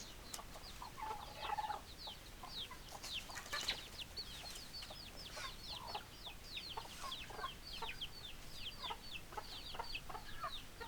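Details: Hens and roosters in a flock, with many rapid, high, downward-sliding peeps packed together over the whole stretch and a few lower clucks mixed in near the start.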